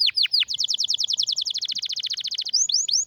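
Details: Rare, powerful canary song for tutoring young singers: a few sweeping downward whistles, then a long rapid rolling run of bright high notes, ending with more swooping whistles.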